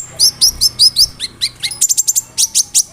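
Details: Konin song with imitations of cricket and other birds, used as a tutor; a string of clear down-slurred high whistles followed by rapid, evenly spaced piercing chirps.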